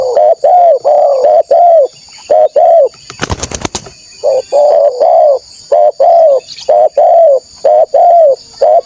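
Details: Lure call of a vocal spotted dove meant to provoke wild rival doves: steady series of soft, rounded coos in quick clusters, with a brief rustling burst midway and a constant shrill insect hum behind.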